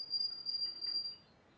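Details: Short burst from a yellow 2011 Spanish timbrado: one bright, very high rolling trill lasting about a second before fading out.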